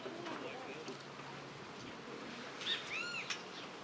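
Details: Great kiskadee (Pitangus sulphuratus) gives a few harsh, arched, high notes near the end, its name-like "kiskadee" call, sounding close, probably perched high in a big tree behind people talking throughout.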